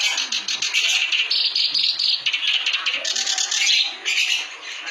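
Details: Clamorous reed warbler singing hard: continuous buzzy, grating chatter with rapid stuttering notes and brief dips, loud from start to finish.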